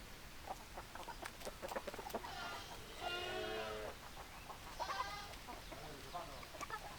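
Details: Chickens cluck in scattered short notes, then two longer drawn-out, harmonically rich calls rise above the flock, each lasting about a second, over constant farmyard noise.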